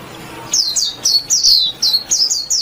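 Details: Warbling white-eye song: after a half-second of quiet, about eight bright, very high notes follow in quick succession, each sliding sharply downward, delivered almost evenly over two seconds.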